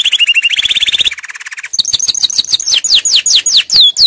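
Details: Canary singing to tutor young birds: a quick, even high trill and a lower buzzing roll. These lead into a series of loud, clear whistles that slide steeply downward, repeated several times a second.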